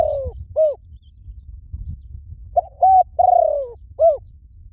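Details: Spotted dove cooing used as a lure for wild doves: short hollow coos and a drawn-out falling note, the phrase repeated after a pause, over a low rumbling background.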